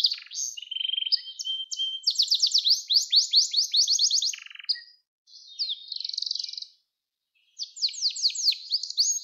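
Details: Gloster canary, song for training young canaries to sing: varied tours with trills, a low buzzy roll, steep downward sweeps, brief silences and resumed sweeping phrases.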